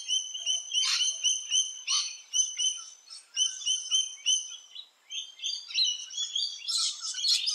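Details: Rainbow lorikeet near its nesting hole in Australia, repeating bright, ringing metallic screeches about every half second, ending in a busier, harsher squabble.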